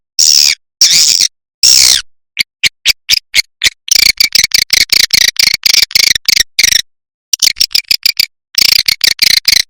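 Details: Lure sound for swiftlets: short buzzy notes, then a long run of sharp clicking chirps repeated in quick, even series, broken by a few short silences.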